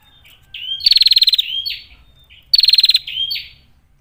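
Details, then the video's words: Lure calls of a female Bar-winged prinia, meant to provoke other prinias into singing and fighting: two phrases, each a soft thin lead-in, then a sharp rapid ticking trill and upward-slurred whistles. "PRENJAK BETINA Gacor suara jernih, Ampuh buat Pancingan ataupun MASTERAN"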